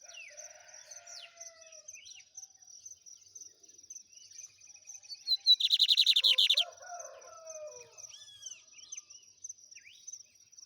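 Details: Lined seedeater singing in the song style called trem bala: scattered thin whistled and slurred notes, then a loud, fast buzzy trill lasting over a second, followed by more sliding whistles, with a steady high-pitched tone throughout.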